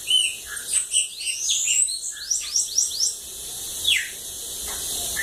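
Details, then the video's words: Bananaquit song recorded at home in Lagoa d'Água, Brazil: a rapid burst of high, sibilant upward-sweeping notes run together, then a lone descending slur. "Sibite cachorro loco da lagoa d'água"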